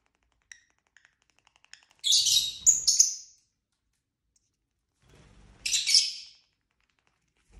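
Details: Pet lovebirds kept indoors giving two bouts of harsh, high, rasping chirps about three seconds apart, each around a second long, with soft ticking sounds and low rustling before them.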